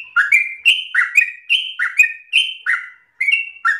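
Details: A yellow-vented bulbul used as a lure and tutor recording sings lively, bubbly, gurgling two-part phrases that drop from higher to lower notes, delivered in quick succession about twice a second.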